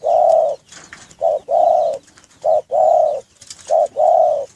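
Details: Spotted dove kept in a breeding cage, cooing loudly and close: four phrases of a clipped short coo and a fuller, longer one, evenly spaced, over quiet background with faint twitters.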